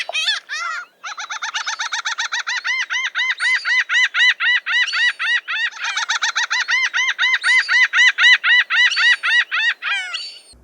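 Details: Kelp Gull, a common bird of Brazilian beaches, giving its laughing call: a fast run of harsh, nasal 'kyow' notes, about four per second, rising and falling in loudness over ten seconds.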